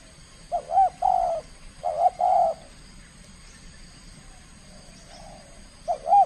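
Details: Kept spotted dove from Kepri, Indonesia, cooing aggressively during its first contest bout. Three soft, mellow phrases of quick rising notes and drawn-out coos follow closely, then a pause and the start of another phrase.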